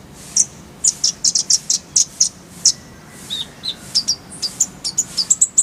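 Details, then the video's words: Clear-voiced purple-throated sunbird (kolibri ninja) song full of fills: irregular sharp high chips about twice a second, shifting into a faster run of varied thin whistled notes. "Masteran Kolibri ninja full isian, Roll tembakan Suara jernih"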